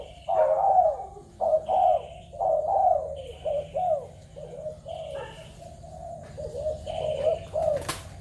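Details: Spotted doves of Malaysian, Thai and Cambodian origin, 21 November 2022: a run of soft, husky coos in short phrases of rising-falling notes, roughly one per second, with brief high chirping from small birds and a sharp click near the end.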